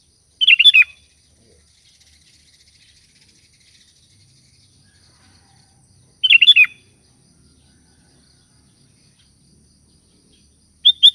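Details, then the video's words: Sooty-headed bulbul calling companions, its sound used to coax caged bulbuls into singing: three short bubbly phrases spaced about five seconds apart over near silence. "Suara Burung Kutilang Gacor Memanggil Teman"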